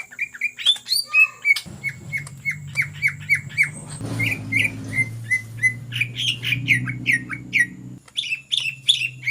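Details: Greater green leafbird singing ngetrok for use as a lure: repeated short downslurred whistles at a steady pace, later mixed with louder chattering phrases, while a low mechanical drone runs beneath much of the recording.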